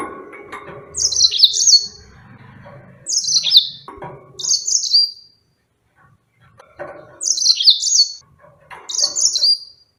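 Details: Yellow-fronted canary repeating bright descending high phrases, four or five over ten seconds, interspersed with lower chirps and clicks from other sounds nearby.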